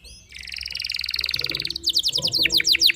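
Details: Canary lure song meant to set off other canaries: a soft start building into a fast, buzzy, pulsing trill that grows louder, then ends with loud, sharply falling swept notes.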